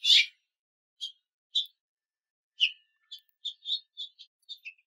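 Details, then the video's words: A female House Finch perched on a backyard weather vane gives about a dozen short, bright cheep notes, scattered at first and then quickening into a loose run, against a quiet background. "Female House Finch Call"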